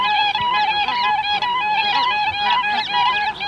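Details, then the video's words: Siberian cranes, adults and young, calling together with bar-headed geese in the background. A dense, continuous chorus of overlapping honking and bugling notes, rich in harmonics, rises and falls in quick succession with no pause throughout. "Siberian Crane. Calls Of Adults And Young, With Calls Of Bar-Headed Geese In B"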